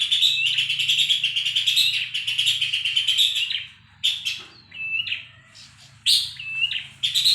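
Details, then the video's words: Horsfield's babbler used for tutoring caged songbirds: a long, harsh, buzzing rattle for about three seconds, then a quieter passage of clear, upslurred whistled notes mixed with short chattering bursts. "Pelanduk Semak cocok untuk masteran burung Cendet dan Murai Batu"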